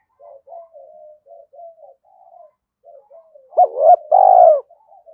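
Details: Spotted dove cooing in the thúc style, calling continuously to lure wild doves in: soft low coos at first, then two loud, mellow two-part coos near the end, each a short note followed by a longer drawn-out one.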